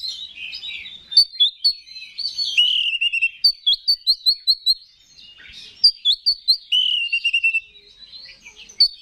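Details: Kacer, the Oriental magpie-robin, in full provoking song meant to rouse rival males: loud whistled notes, a long falling warble, then rapid repeated sharp chirps around a steady rhythm.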